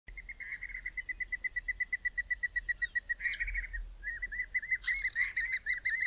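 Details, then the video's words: Two spotted thick-knees calling at dusk in midwinter in the southern Karoo, South Africa: a long run of rapid, evenly spaced piping notes, then wilder overlapping shrill, wavering whistles with a brief higher buzzy note. "SPOTTED THICK-KNEES CALLING"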